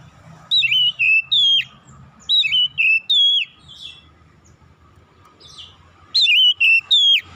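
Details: Oriental magpie-robin in morning song: rhythmic clusters of three clear whistled notes, each dropping and wavering, repeated in quick succession with brief gaps between clusters.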